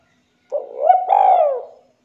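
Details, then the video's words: Spotted dove (tekukur), a keen, clear-voiced singer, giving one drawn-out hollow coo lasting over a second that swells and then slides gently downward. Nothing else is heard against the silence. "Pancingan Tekukur Gacor Suara Jernih"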